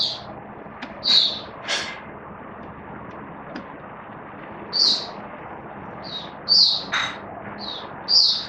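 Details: Captive oriental white-eye recorded 19 September 2022 utters scattered high chirps with gaps of a second or more, mixed with a few sharp clicking knocks and steady background noise.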